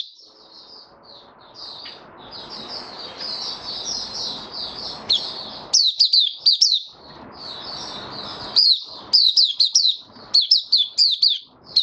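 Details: Captive white-eye singing on 23 March 2022, in warm humid weather: soft, hazy high twittering over background hiss for several seconds, then clearer, sharp, falling chirp phrases in irregular bursts near the end.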